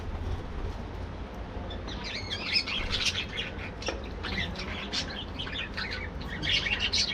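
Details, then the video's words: Morning in a budgerigar breeding colony: many parakeets chattering at once, a tangle of rapid twittering notes and short squawks, constant low hum underneath. "Budgies Playing | Activities | Breeding | Colony Parakeets Morning Activities"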